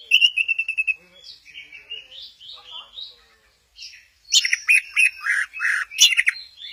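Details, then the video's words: Orange-headed thrush in Kesamben, performing a 'goyang inul' sway, opens with a quick run of repeated whistled notes, follows with soft warbling phrases, then loud harsh chattering bursts and high chirps. "Burung Anis merah, lagi goyang inul"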